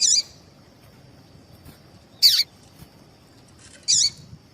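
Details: Female double-collared seedeater giving its call to stir males into song: three clipped, high, slightly buzzy chips about two seconds apart, with a thin constant whine behind them.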